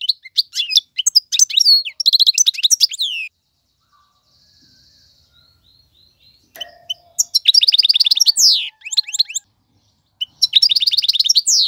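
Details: European goldfinch male song meant for teaching chicks: bursts of high twittering and buzzy trills separated by a long quiet stretch with faint distant notes.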